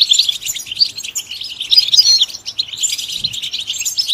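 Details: European goldfinch singing softer, liquid twitters and short whistled notes in uneven bursts, with brief pauses between phrases.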